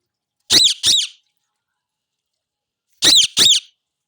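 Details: Indian ringneck parakeet calling loudly: two pairs of harsh, shrill screeches, each pair of quick notes about half a second apart, separated by a silent gap of roughly two seconds.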